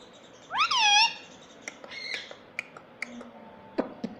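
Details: Talking pet ringneck parrot: one strong rising then falling spoken syllable over a steady room hiss, followed by soft murmurs and light clicking sounds.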